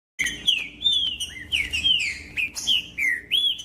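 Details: Green-winged saltator singing to warm up other saltators: clear, loud whistled phrases of slurred notes, falling then rising, delivered in quick succession with a low steady hum beneath.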